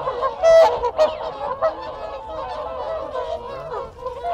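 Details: Group of whooper swans calling to keep contact. A few strong, resonant honks open the passage, then it settles into a softer, continuous babble, with wigeon and Canada geese faintly behind.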